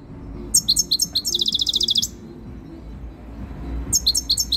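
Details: Very tame European goldfinch coming into breeding condition, singing close to the camera: a burst of high, tinkling chirps that runs into a fast, even trill lasting under a second, then a pause before bright twittering notes resume.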